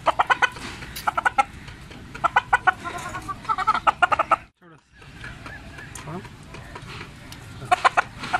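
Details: Big Persian rooster giving bursts of rapid clucks, several quick notes in each burst, repeated through the recording, against steady background noise.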